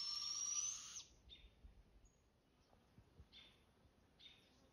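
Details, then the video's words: Juvenile barred owls in southern Oregon call back and forth: harsh, hissing screeches, one long rasp, then two shorter breathy ones about a second apart, over quiet background hiss. "Juvenile Barred Owl Call"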